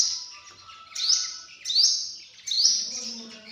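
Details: Three shrill, rising notes from a sunbird, spaced well apart and each sliding upward, after a soft high hiss at the start.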